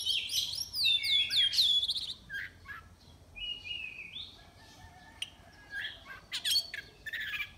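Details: Oriental magpie-robin singing as a contest entry, caged bird from Miri, Sarawak; rapid descending whistled trills open the phrase, followed by scattered flat whistles and sharp high chips with short pauses.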